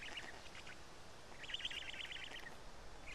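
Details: A fast, stuttering series of reedy pulses from a black stork chick at the Karula nest during a fish feeding on 31 May 2017 at 12:47. Faint rasps come before it, over a steady background hiss.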